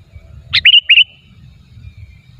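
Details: Sooty-headed bulbul lure call, used to attract bulbuls for trapping: a brief bright phrase of a sharp note, then two quick liquid whistled slurs, over a faint low rumble.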